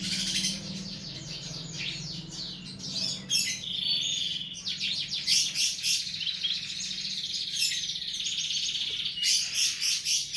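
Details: Assorted songbirds as masteran tutor material for cage birds: rapid bright chirps and fast trills, pulsing bursts repeated roughly every half second in the second half, faint low hum beneath.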